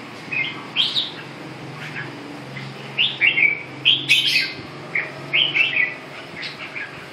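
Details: Red-whiskered bulbul delivering clear whistled phrases of two or three quick notes, repeated roughly every second in the middle stretch, bright and slightly rising.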